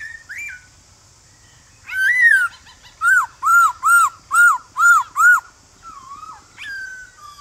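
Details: A male black-throated laughingthrush sings its forest-style morning call to stir wild birds to reply. After an opening whistle comes a run of seven loud, evenly spaced arched notes, then quieter falling whistles.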